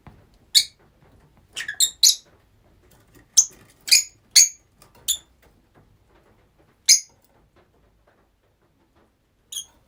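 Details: Rosy-faced lovebirds kept as a group indoors, giving short, sharp, high-pitched squeaky chirps scattered irregularly, sometimes in quick pairs, separated by brief silences.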